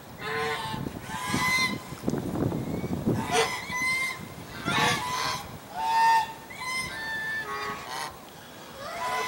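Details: Flock of greylag geese in Vineland, December 22, 2020, honking while flapping wings: repeated rough, brassy honks from many birds, some ringing clearly above the group, with broadband rustling flaps in between.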